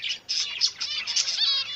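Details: Caged zebra finch babies just out of the egg: rapid, harsh, buzzy chirps overlapping almost without a break.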